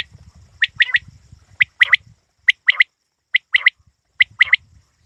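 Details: A quail gives a series of quick triple chirps, clipped and high, with about a second between groups; faint low rumbling sounds in the background.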